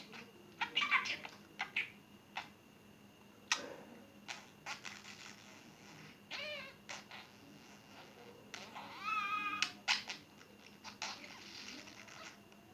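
A budgerigar chatters in quick warbled bursts, with rising and falling speech-like phrases and sharp clicks.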